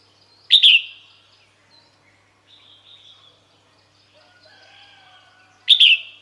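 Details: Red-whiskered bulbul female giving calls meant to bring males to her: two sharp, loud, high chirped bursts about five seconds apart, with faint softer whistles from other birds in between.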